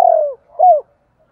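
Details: Captive spotted dove used as a decoy: the tail of a long descending purring coo, then a single clear arched coo, then silence.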